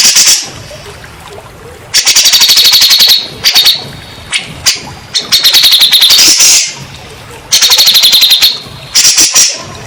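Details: Grey-cheeked bulbul in a therapy recording for stressed birds: repeated one-second bursts of fast, high, rattling chatter with short silences between, some bursts harsher and hissing.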